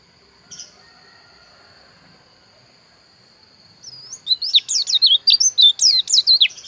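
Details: A white-eye, pleci dakun bali from Pupuan in Bali; after a quiet start with a lone chip and a steady high tone, it breaks into a fast string of shrill twisting chirps.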